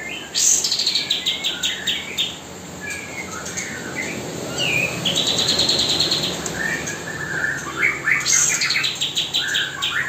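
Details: Spotted magpie-robin singing nonstop as a tutor song during hand-feeding of young birds: bright, varied whistled phrases and quick chirps, changing every second or two, over a steady hiss.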